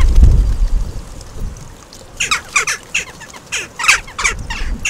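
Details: Western jackdaws, a family group, bathing together at a garden bird bath in Recke, Germany, 5 May 2021. After heavy splashing, a rapid series of short, harsh, clipped calls sounds roughly three times per second.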